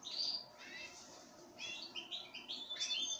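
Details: Short burst from pine grosbeak at a sunflower-seed feeding: a bright chirp, a pause with softer notes, then a cluster of clear descending twitters.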